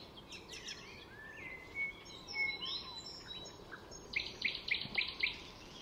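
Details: Mimicking Icterine warbler in full song at a Swedish wetland reserve north of Stockholm; varied scratchy bursts, clear whistles and upward slurs, closing with a quick series of bright repeated chirps, against constant low environmental noise.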